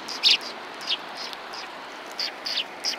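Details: Several sparrows perched on a bench at a Tenmangu shrine, 21 January 2020, give a few short, high chirps spaced through a quiet moment, some doubled, against soft background hiss.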